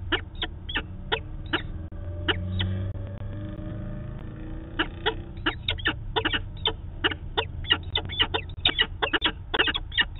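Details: A peregrine falcon pair meets at its nest site in Manchester, New Hampshire, on 2 September 2018, filmed by a live camera: steady volleys of short grating notes, briefly pausing, over low traffic-like rumble.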